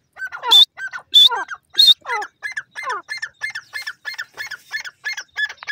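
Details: Grey francolin, called teetar or Sindhi teetar, calling loudly: three harsh, squawking notes with a shrill high edge, followed by a rapid run of shorter scratchy notes repeated several times a second.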